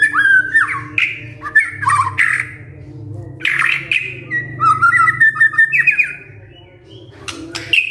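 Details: White-rumped shama singing to prompt other shamas to answer: varied warbled and whistled phrases, some harsh, over a steady low background hum.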